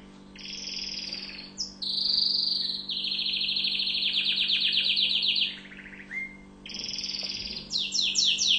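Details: Song of an orange Tunisian canary: varied high trills shifting in pitch, a long pulsing rolled tour, a brief pause, then fresh trills ending in quick descending sweeps; a faint steady hum underneath.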